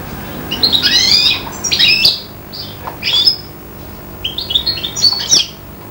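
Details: Young serin x bronze canary hybrid, aged five months, copying goldfinch song with short separated bursts of bright twittered notes and falling slurs, about five phrases across six seconds, with quiet room noise between.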